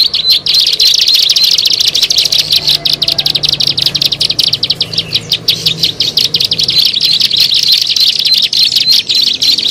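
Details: High, rapid chirps of a bar-winged prinia used as a bird lure, repeated about three per second in a busy, slightly irregular stream, with a faint low hum in the background.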